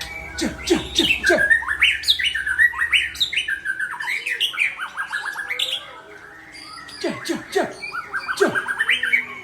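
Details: Powerful song of a white-rumped shama (murai Aceh): fast, varied phrases of harsh chattering notes mixed with rich rising and falling whistles, a brief lull, then another energetic burst.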